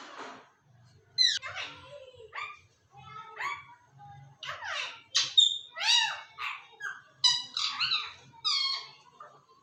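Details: Pakistani parrot mimicking human speech, saying "Allah Hoo": a run of squawky, bending syllables, sharp rising and falling notes with pauses between, recorded indoors.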